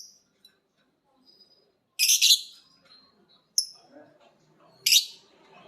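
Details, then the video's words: Pet lovebirds, a biola green and a PB Piet, picking up ngekek singing from each other after hearing a master recording: three harsh, shrill bursts spaced a few seconds apart, with one short high chirp between them and near silence otherwise. "Burung Lovebird biola green vs Lovebird PB Piet❗saling belajar ngekek denger masternya bunyi."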